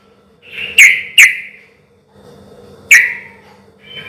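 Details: Sooty-headed bulbul with loud song in a relaxed rhythm, played as a lure for other bulbuls to answer: three sharp, clear, downslurred whistled notes, two close together and one after a pause.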